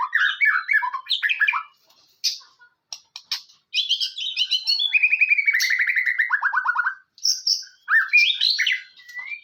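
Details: White-rumped shama song used to provoke other shamas: rich warbles, clicking notes, then a long rattling trill stepping downward, followed by high whistled and warbled phrases after short pauses.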